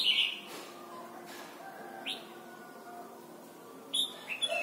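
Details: Thai Red-whiskered bulbul for teaching young birds to sing: a bright whistled note opens, a brief slurred note follows, then a quick cluster of chirpy notes near the end, over a low hum.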